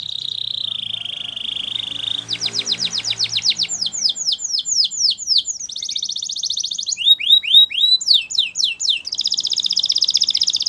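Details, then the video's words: Russian canary singing a sustained quavering trill, then fast downward sweeps, a long buzzy roll, dropping slurred notes, and a final rapid trill. "Russian Canary Singing !! Canary Bird Song"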